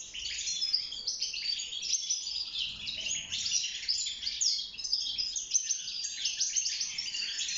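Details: Courting European goldfinch in a cage during nest building, delivering an energetic, nonstop twittering song of sparkling chirps, buzzes and rolling trills at a steady high pitch.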